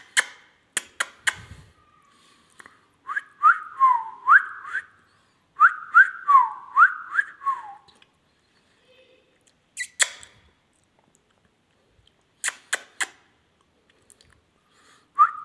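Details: Indian ringneck parrot whistling two bursts of rapid rising and falling slurred notes, separated by silence, with scattered loud clicks and taps before, between and after the phrases.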